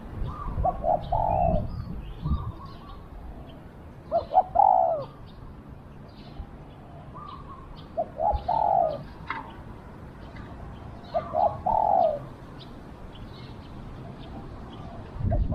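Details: Spotted dove used as a decoy to lure wild doves repeats its coo phrase about every four seconds, short notes into a long husky coo, amid frequent high chirps from other small birds.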